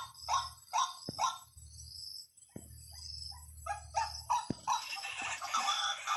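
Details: White-breasted waterhen lure call in broken bursts: a few harsh repeated notes, a pause with sharp clicks, then more rapid notes that sink into rising hiss toward the end.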